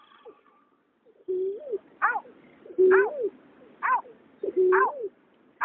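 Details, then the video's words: Male and female water rail calling together, recorded in 2021: hoarse, nasal notes, some sliding flat then dropping, others stacked and downward-bending, given in uneven pairs about once every two seconds against a quiet background. "Tiếng nhát hoa, cà cuốc trống mái"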